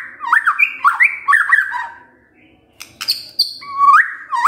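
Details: White-rumped shama song played as a lure to stir a lazy male into singing. Quick looping whistled phrases, a short pause, a high buzzy note, then rising whistles repeated twice.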